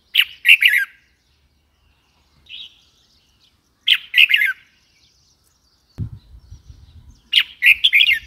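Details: Red-whiskered bulbul calling: short bursts of three or four bright, chirpy liquid notes repeated every few seconds, with one softer single note between them and a low thump followed by faint rustling near the end.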